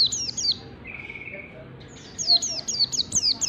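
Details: Caged-bird training recording of white-eye ngalas song: a couple of high downslurred chirps, a brief steady whistle, then a fast, energetic run of sharp descending notes.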